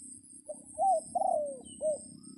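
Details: A decoy red junglefowl crows to call in wild birds during the rainy period: one full crow of a short opening note, an arched phrase, a long descending drawl and a brief closing note, with a continuous high insect drone.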